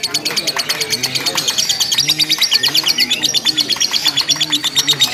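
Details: Lovebird giving long, unbroken contest chatter in a simulated singing competition: rapid high rattling notes about three per second, with soft low cooing sounds in the background.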